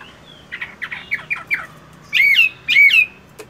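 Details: Caged fighting-type Chinese hwamei practising its voice in the morning while moulting: a run of short, quick descending slurred notes, then two loud ringing whistled phrases that dip and rise, in a quiet indoor setting.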